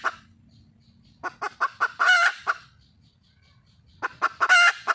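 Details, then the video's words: Wild red junglefowl hen calling for a male: quick runs of short, sharp clucks build into a loud, harsh, drawn-out squawk. The cluck-and-squawk sequence plays twice, with quiet pauses in between. "le bruit d'une poule sauvage,เสียงไก่ป่าร้องหาถู่หาตัวผู้,ສຽງໄກ່ປ່າຮ້ອງຫາຄູ່ຮັກ, poj qaib qus see"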